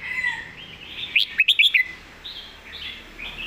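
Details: Red-whiskered bulbul master song (เพลงแม่บท): a soft warble, then a quick burst of about five loud, clipped chirps, followed by gentle rounded whistled notes over a faint background hiss.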